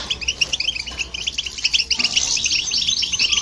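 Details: European goldfinch and hybrid singing to provoke other birds: clipped, metallic twitter notes at a fast uneven pace, growing denser and louder in the second half.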